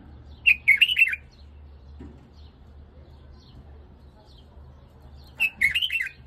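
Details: White-eared bulbul song used for tutoring a young Iraqi bird: two short bubbly warbled phrases of rapid up-and-down notes, each under a second, separated by about five seconds of quiet with a low steady hum behind.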